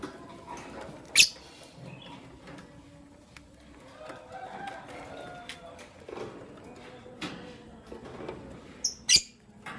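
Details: Morning chirping of lovebirds, albino and Euwing green opaline: one shrill high chirp early on, then a quick double chirp near the end, with faint clicks and rustles in between.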